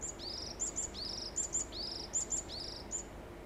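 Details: Varied tit singing on 13 June 2021 while preening and stretching after bathing. Repeated phrases of very high, thin piping notes each lead into a longer, slightly falling buzzy whistle, with about four phrases in quick succession.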